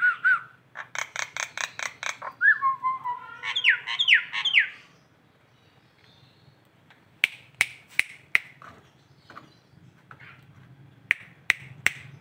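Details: Indonesian local Nias hill myna: a short whistle, a rapid run of harsh, buzzy squawks, then wavering whistled phrases; sharp clicking snaps follow after a quiet gap.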